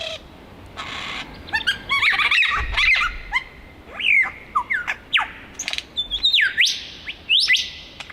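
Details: Male superb lyrebird in Australia moving between trees while singing: a varied run of whistled upward and downward sweeps, sharp clicks and buzzy notes, changing every half second, over faint background hiss.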